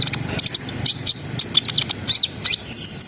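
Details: Sharp, high chips and sweet whistled slurs from a brown-throated sunbird in energetic ngriwik-ngerol song, played to raise breeding arousal. Notes come in uneven rapid clusters, loud against faint low background noise.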